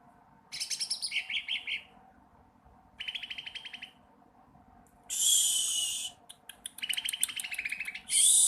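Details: Sooty-headed bulbul learning to sing, with buzzy trilled phrases at intervals interrupted by loud bursts of broad hissing noise.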